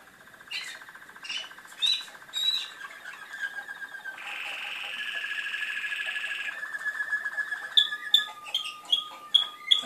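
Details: Singing Malinois canary: spaced rolled phrases, then a long even purring trill lasting several seconds, ending in sharp clipped notes repeated in quick succession.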